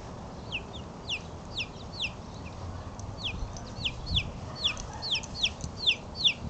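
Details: Three-week-old chicks, four of them, out in the open for their first time on March 23, peeping busily: sharp descending cheeps tumbling quickly and irregularly, growing denser toward the end, with constant background rushing noise.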